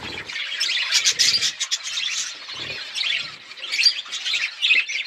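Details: Feeding budgerigars in a flock make dense, warbling high chatter, a constant jumble of chirps and squawky notes with a few soft low thumps.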